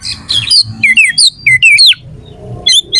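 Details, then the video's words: Harsh, sharp oriental magpie-robin song meant to provoke rivals into fighting. Quick descending whistles and grating notes run together over a steady low hum, then pause before two short chirps. "PANCINGAN KACER AUTO CEPAT RESPON/KACER JADI EMOSI SIAP TARUNG"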